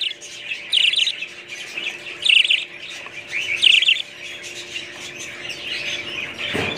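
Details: Loud bright chirping warbles from budgerigars come in distinct bursts roughly every second and a half over quieter ongoing chatter, ending with a low knock.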